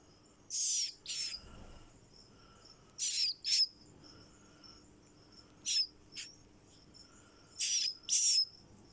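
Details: Young kakariki chick giving harsh, hissing high-pitched calls in pairs, four paired bursts spread over nine seconds with quiet gaps between.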